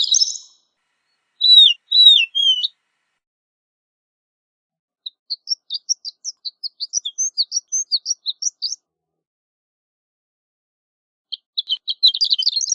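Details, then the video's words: Horned lark singing: a high jumble, then sweeping slurred whistles, later a long accelerating string of thin high chips, ending in a fast tinkling warble; clean background. "Horned Lark Bird Singing, Sound, Calling, Voice - Alondra Cornuda Canto - Eremophila alpestris"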